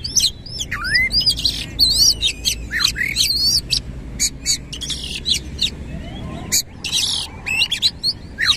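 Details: Energetic Oriental magpie-robin song delivered with coarse mimicked fill-ins and tail fanned: dense runs of sharp chirps, swooping whistles and scratchy bursts, a quieter pause midway, faint low rumble behind.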